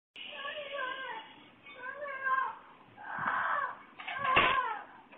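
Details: A 40-year-old pet parrot on its outdoor perch in Lake Worth Beach, Florida, imitating a woman screaming for help: drawn-out harmonic wails, some falling in pitch, others rising and wavering, in four bursts separated by short pauses.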